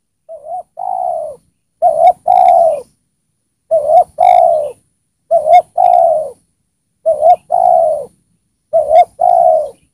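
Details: Decoy spotted dove singing to draw wild doves in: low mellow coos repeated steadily, each phrase a quick two-part coo then a drawn-out falling note, about every one and a half seconds.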